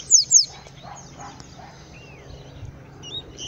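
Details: A Yellow-bellied Seedeater singing in the bush gives two quick, very high notes that slur downward, then a few faint thin whistles over a quiet outdoor background.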